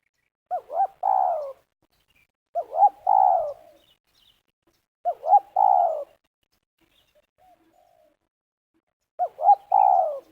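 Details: Spotted dove used as a lure by village trappers in Liwa, West Lampung, Indonesia, giving the segmented 'meruas' coo: two short rising notes, then a longer rolling coo, the phrase repeated four times about every two to two-and-a-half seconds in a quiet setting.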